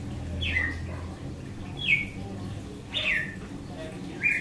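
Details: Red-cowled cardinal singing in the açoite style: four short, sharp, downward-sliding whistled notes spaced about a second apart over a low background hum.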